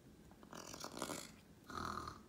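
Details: Charley, a pet female blue-and-gold macaw, seemingly tired, resting on her net with a foot up, makes two raspy, breathy snoring sounds, each about half a second long, with a brief pause between.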